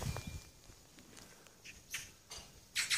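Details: Magpies gathered in a tall tree at a rural farmhouse give a few harsh, rasping bursts, separated by quiet gaps, over faint low rumbling background noise.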